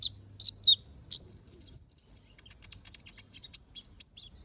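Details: Brown-throated sunbird singing energetically in chattering style with sharp bursts, a recording used to train other birds: rapid high thin chirps and short downslurred notes, then a run of quick ticking notes, some low background rumble.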